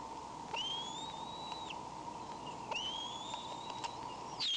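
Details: Bald eagle on a nest camera, May 19, heard wheezing: thin, high whistled notes that rise and hold steady, in two drawn-out phrases, over a constant electrical hum.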